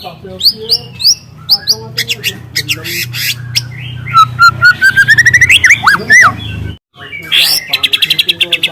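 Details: Wild juvenile white-rumped shama in speckled plumage singing with canary-like bursts: sharp chips and slurred whistles, a rising run of clear notes, a short silence, then a rapid buzzy trill.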